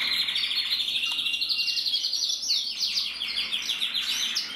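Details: Male canary of the red mosaic agate variety, recorded 1 November 2024: a bright run of quick high trills shifting into a series of descending chirps, then clipped rapid notes repeated in a steady rhythm.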